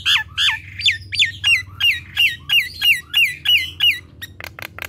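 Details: Rapid series of about a dozen bright, downward-slurred whistles from a Nias hill myna, evenly spaced around three per second, ending with a few clipped clicks; the busy gacor kemrewek style.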